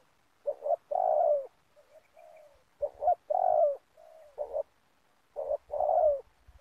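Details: Spotted dove coos recur every couple of seconds at an oil palm plantation where doves are lured for trapping. Each phrase has two short notes and a full, falling drawn note, with gentle low coos between and faint thumps.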